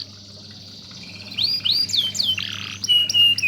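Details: Canary singing as a master bird for song tutoring: after a faint start, a run of looping swept whistles and a harsh burst, ending in a sustained falling whistle, with a low hum underneath.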